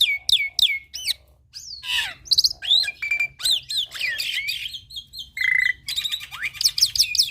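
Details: Young black-winged myna singing a full-fill tutor song used to train other mynas: a rapid medley of sharp rising whistles, downslurred notes, buzzy bursts and a sustained mid-pitched tone, with brief pauses between phrases.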